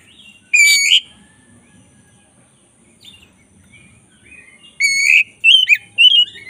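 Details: Black-breasted white-rumped shama, a caged bird, gives a sharp harsh note, falls silent over faint background rumble, then resumes with loud buzzy and whistled phrases in quick succession.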